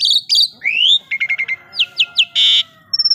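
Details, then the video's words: Asian pied starling in full, energetic song: a loud varied medley of high whistles, a rising slurred note, rapid clicking bursts, short chirps and a harsh buzzy burst, strung together without pause. "jalak suren gacor"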